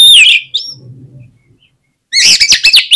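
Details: Magpie-robin song played to provoke other oriental magpie-robins: a strong, falling whistle, a short whistled note and quiet rustle, then an abrupt burst of rapid, loud, rasping and whistled notes.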